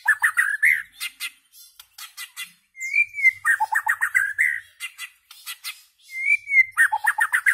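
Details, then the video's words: Song of a white-rumped shama, with long clear whistled notes sliding slightly upward, broken by bursts of fast, rich chattering notes and short high clicks, phrases recurring every few seconds. "Amazing White-rumped Shama Bird Song Singing And Chirping"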